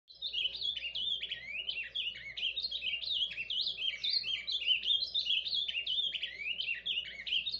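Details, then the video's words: Ultramarine grosbeak of the Paraná form giving its quiet surdina song: a continuous, rapid warble of short rising and falling whistled notes, densely packed and unbroken for the whole stretch, with a faint low hum beneath. "AZULÃO PARANÁ CANTO SURDINA"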